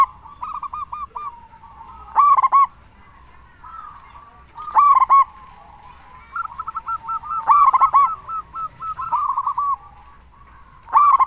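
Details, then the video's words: Local Indonesian zebra dove calling loudly, used to lure other zebra doves into answering and to stir breeding mood: bursts of quick, bubbly cooing notes with a rolling rhythm, separated by softer trilled runs, repeated through the recording. "Perkutut Lokal Gacor SUARA BESAR Ahlinya Bikin Semua Burung Perkutut Langsung Nyaut"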